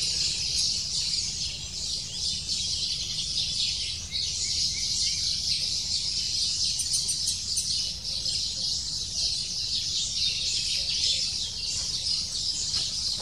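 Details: At the nest, a Lesser spotted woodpecker nestling begs insistently while its parents bring food every few minutes. The result is a continuous, thin, high-pitched chattering of repeated calls, steady in loudness throughout.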